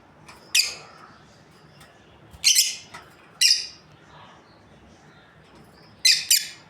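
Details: Lovebirds, a breeding pair, giving loud piercing high chirps singly and in a quick double, separated by pauses of about one to three seconds.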